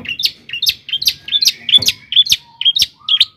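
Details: Long-tailed shrike song for provoking other shrikes: paired high chirpy notes repeated about twice a second, each rising then falling, with faint steady lower whistles threaded beneath.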